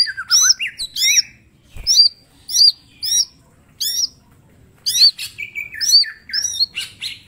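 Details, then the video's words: Mini green leafbird singing persistently, full of sharp shot-like notes for training other birds: repeated high looping whistles with harsh overtones, in short bursts, plus a brief trill. "Cucak ijo mini gacor full tembakan bongkar materi"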